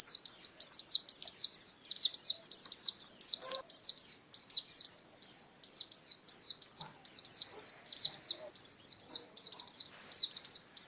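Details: Oriental white-eye singing in the wild-type 'ngalas' style: a fast string of high, thin, downslurred chirps repeated in quick bursts of three to five, with only short gaps and a quiet background.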